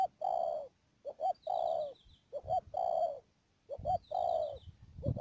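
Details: Cooing of a decoy spotted dove on a bird-trapping outing in Cà Mau's Mương Điều area, Đầm Dơi, 12 March 2019; repeated phrases of paired short notes leading into a sustained mellow coo, with a thin high wavering tone overhead.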